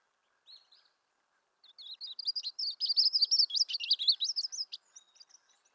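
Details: Myrtle warbler song: after one short opening note, a loose, jumbled trill of sweet, high warbled notes runs about three seconds, swelling in loudness then trailing off, against a quiet background.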